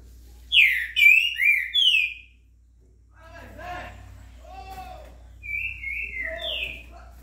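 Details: Green-winged saltator singing 'estourado' style, a curricutil in the background, 26 September. Loud rich whistled phrases open, a man's voice breaks in briefly, then softer whistled notes return at the end.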